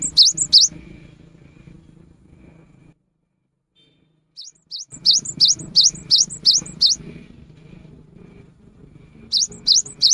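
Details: Cinereous tit in the afternoon, its song said to prompt other tits to sing: short runs of high, repeated two-note whistles, a brief silence, then a longer run of about seven notes and a final burst.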